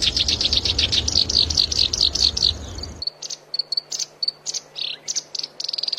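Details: Training-model song of a black-browed reed warbler for songbirds: rapid repeated high chirping notes with a steady insect-like background, then sparser sharp notes and short whistles.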